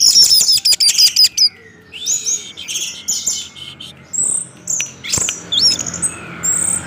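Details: Orange-headed thrush 'gacor teler' lure song used to get other thrushes singing: opening run of fast repeated high notes, then varied whistled phrases and chirps spaced through the rest.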